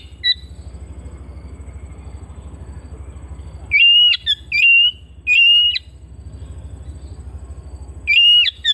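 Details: Home-kept Oriental magpie-robin singing: clear, pure whistled notes, some rising and some held, given in short bursts with pauses of a few seconds, over a steady low mechanical hum.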